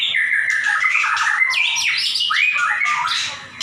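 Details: White-rumped shama singing in the lively 'gacor nembak' style, offered as a master recording for training other birds: a dense, unbroken run of loud whistled phrases with rising slurred sweeps and scratchy high notes, no pauses.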